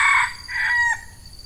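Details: Red junglefowl crowing near an F1 hen decoy set to lure wild males in peat scrubland during the female-calling season: one short, loud, clipped crow falling away in under a second, with faint insect buzz behind.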